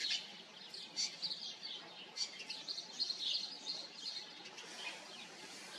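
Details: Several house sparrows calling in their colony: a steady chorus of sharp, repeated chirps with small peaks of louder cheeps, continuing without a break.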